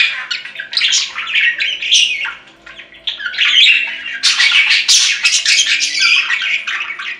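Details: Pet budgies chattering for a lonely companion bird: busy stream of buzzy, scratchy warbles and quick chirps, pausing briefly mid-way before a loud, sustained chattering passage.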